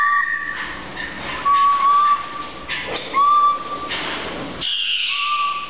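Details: Laboratory research blue jay whistling: steady, clear mid-pitched tones, some preceded by a higher note, spaced irregularly over several seconds, with short noisy bursts like rustling or movement in between.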